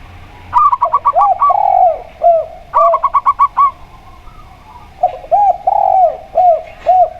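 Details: Local zebra dove (perkutut) from Indonesia singing alongside a spotted dove (tekukur): bursts of rapid, ringing repeated notes, answered by the spotted dove's lower, rounded coos.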